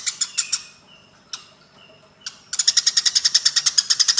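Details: Fighting Eurasian tree sparrows, a recording meant for training other songbirds: a few sharp chirps, a quiet stretch with soft whistles and lone chips, then a steady rapid run of harsh chirps repeated about five times a second.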